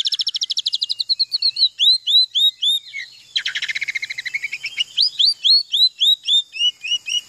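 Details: Oriental magpie-robin singing a continuous rapid song mimicking canary song: fast trills of repeated chirps, then rising and falling slurred whistles repeated several times a second, a buzzy trilled run midway.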